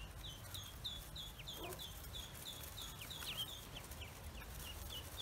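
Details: Pekin ducklings, just hatched on a farm, keep up a steady stream of high, slightly downslurred peeps, several a second, against a low background hum.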